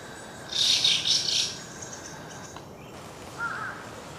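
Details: White-cheeked starlings, adults mingling with young birds, at the stream garden in Aoba-no-mori Park on 10 June 2015; a harsh, noisy burst of chattering chirps lasting about a second, then quiet and a faint short note.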